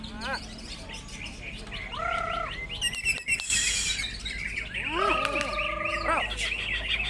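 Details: Greater green leafbird in a singing contest, delivering clear sustained whistles and swooping slurs alternating with rapid chattering notes and a harsh burst, over a busy background of other birdsong.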